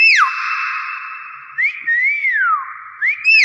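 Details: From Thailand, a common hill myna (intermedia) gives a falling whistle, then a rising whistle that arches and sweeps down, and another rising note, all echoing strongly.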